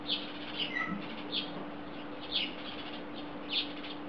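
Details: House sparrows gathered on a wire in Belgrade, Serbia, recorded July 2016, give spaced single chirps about once a second with brief softer twitters, against a low continuous hum.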